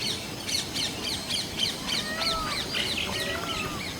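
Common mynas give a rapid run of harsh, chattering notes about three per second, mixed with a few drawn-out whistles, against a steady outdoor hiss.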